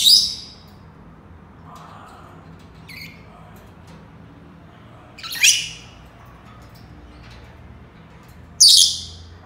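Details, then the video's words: Senegal parrot giving loud, piercing squawks roughly every four seconds, with faint softer chirps in between, against a quiet indoor background. "Senegal parrots sounds تصفير جميل و محفز لببغاء اليويو السنغالي"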